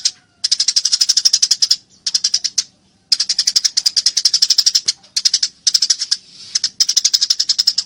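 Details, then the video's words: Eurasian tree sparrow during a fight, voice described as clear: long runs of quick, piercing chirps in steady rhythm, broken by brief silences, with a faint rustling between bursts. "masteran burung gereja tarung gacor suara jernih"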